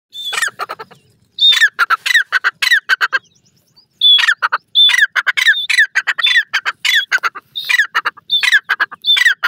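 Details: Grey francolin (titur) calling: loud, harsh, ringing notes delivered in rapid runs, a short burst, a pause near the middle, then a longer sequence of closely repeated phrases with no other sounds competing.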